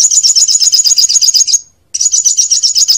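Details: Olive-backed sunbird song used as a lure for young birds, a loud, rapid string of high, sharp chirps about four per second, pausing briefly before the fast trill resumes.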